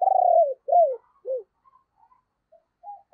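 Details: Decoy spotted dove cooing to draw in wild doves in the morning: a long loud vibrating purr followed by two falling slurred notes, then soft distant coos.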